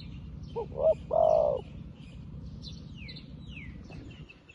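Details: Newly trained decoy spotted dove calling to wild doves, as a trapper's lure. Two short rising notes followed by one long, low, steady coo, with faint high chirps from other small birds behind it.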